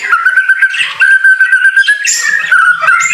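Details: Loud whistled phrases from a white-rumped shama in the rain: a series of clear, steady repeated notes broken by brief buzzy high bursts near the end.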